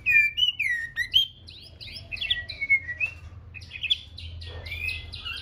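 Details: Six-month-old nest-raised female white-rumped shama practising singing: a rapid stream of varied high whistles, slurred up and down, mixed with quick chips and a brief buzzy stretch near the end.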